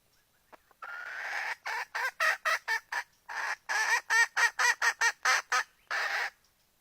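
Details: A hen calls out for a rooster, beginning with a drawn-out harsh squawk, then breaking into a rapid, slightly uneven run of about sixteen clipped, nasal notes, closing with one longer squawk.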